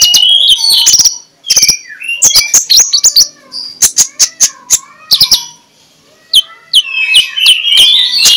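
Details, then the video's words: Lure song of a magpie-robin in the ngeplong style, heard in the morning: loud clicking bursts and quick whistled notes, a quiet gap, then a final run of warbling whistles. "MENJUR untuk PIKAT Konin Lelet jadi NGOBRA, Menggunakan Suara KONIN Ngeplong"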